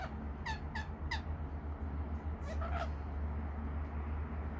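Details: Three evenly spaced, bright, overtone-laden squeals open the recording of rainbow lorikeets at a nectar mix, then a brief harsh scuffle of notes, before low steady hum alone continues.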